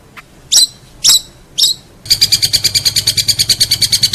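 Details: Long-tailed shrike tutoring recording for contest birds: three sharp, spaced high notes, then a rapid, even, buzzy trill of quickly repeated notes running to the end.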